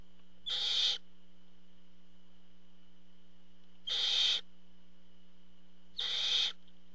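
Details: Three evenly spaced, noisy hissing screeches from a barn owl at its nest as the male parent delivers food, each under half a second, separated by long gaps with a constant low hum.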